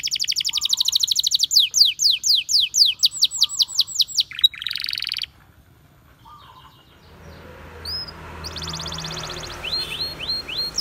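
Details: Canary song with a run of repeated swooping whistled notes and a buzzy burst, then a silent gap, a stretch of hiss, and a few more high trills and slurred whistles.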